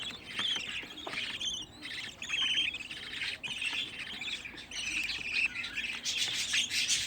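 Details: Sixteen home-bred budgerigar chicks kept together in one place, giving a dense chorus of harsh, scratchy chirps and squeaks that overlap without pause, some notes sliding downward, with soft rustling beneath.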